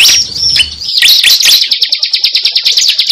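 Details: Lure recording of the cible bird: a sliding high whistle and some jumbled notes lead into a quick, evenly spaced string of high chips, more than two per second.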